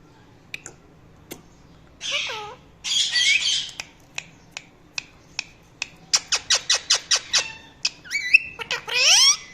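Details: An Indian ringneck talking parrot, a pet, gives scattered sharp clicks and short squeaky calls, then a rapid series of about eight quick chirps, ending in harsh rasping squawks with upswept tonal tails.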